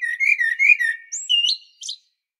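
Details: Mellow, repeated fluty notes from a common blackbird on Medvednica Mountain, Zagreb, Croatia, sliding up into high thin whistles and a brief scratchy ending; captured with a Panasonic Lumix DC-TZ90.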